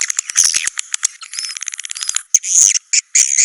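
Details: Swiftlet calls: a quick ticking series, then a buzzy chattering passage, ending in short separate bursts of high shrill twitter.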